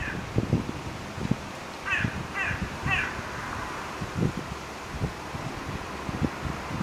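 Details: Crows gathering together in September, three harsh caws in a row midway, with low thumping and rustling noises throughout.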